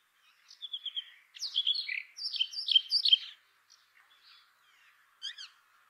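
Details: A brown rock chat opens with a few repeated whistles, then breaks into a rich chattering warble of slurred notes, with a soft buzzy call and a final sharp chirp after a pause.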